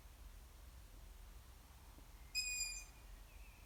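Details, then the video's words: A juvenile Long-eared Owl gives its call: one high, squeaky, drawn-out whistle like a creaking gate hinge, followed by a fainter short echo, over a low background rumble. "Juvenile Long-eared Owl Call. Hornuggla unge läte"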